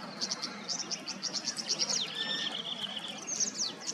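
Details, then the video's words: Tawny grassbird in Queensland: a quick run of high chipping notes that builds, then a long, steady, thin reeling trill on one pitch, with a brief falling slur near the end; faint background hiss. "the Tawny Grassbird's call"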